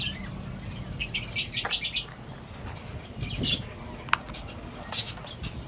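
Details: A colony of small pet lovebirds, cockatiels and budgies in their setup: a quick burst of six or seven bright, high chirps in about one second, then scattered sharper squeaks and a single click, over a steady low hum.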